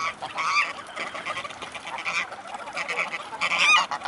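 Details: Mute swans at Blasewitz, Dresden, recorded 5 December 2018 at 16:32 in late afternoon; harsh nasal honks come in short bursts over about four seconds, amid a busy background of other waterfowl chatter.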